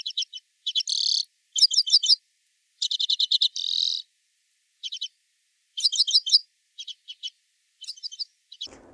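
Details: A redpoll in the Padarn Park woodlands, Wales, in July after the breeding season, gives its quiet trill: high, dry chattering notes and short buzzy trills in quick bursts every second or so, ending with a brief low thump.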